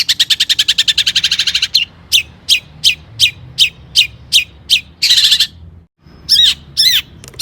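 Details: Long-tailed shrike singing energetically to provoke other shrikes: a fast rattling trill, then evenly spaced sharp notes about twice a second, a short gap, and a few twisting whistles.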